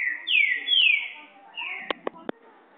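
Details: Green-winged saltator, the song style called boiadeiro (Sellani): long clear whistled notes, each sliding downward, two in a row then a shorter one, followed by three sharp clicks and a faint murmur of background noise.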